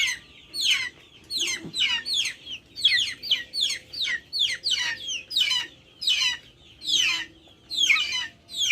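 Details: High, scratchy calls from backyard chickens, each dropping in pitch, repeated in a steady run of roughly thirteen bursts over nine seconds.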